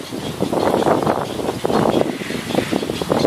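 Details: Little egret (Egretta garzetta) chicks in Taiwan, June 2016, eagerly awaiting feeding, give a harsh, rasping chatter of rapid, overlapping bursts, with a steady background rush like wind or traffic.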